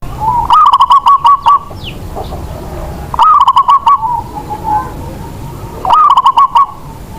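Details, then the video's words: Local zebra dove kept as a lure bird, its song used to prompt other zebra doves that are reluctant to sing. A rapid rolling series of mellow coos recurs about every 2.7 seconds, each phrase accompanied by sharp clicking. "Perkutut lokal Raja pikat. Cocok.buwat pancingan burung yg malas bunyi"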